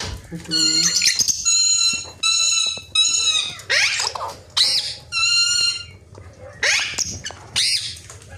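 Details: Talking ringneck parrot, kept as a pet: a loud series of harmonic, voice-like phrases, each about half a second long, coming in quick succession with short gaps between them.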